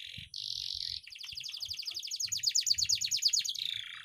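A canary sings a bright, high buzzy phrase, then a fast rolling trill of repeated chirps that quickens and rises in pitch, with faint low thumps underneath.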